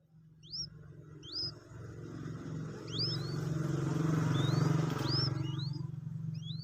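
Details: Two-day-old Common Moorhen chick, kept by hand while being taught to eat feed: thin rising whistled peeps, spaced irregularly, over a loud steady low engine-like hum.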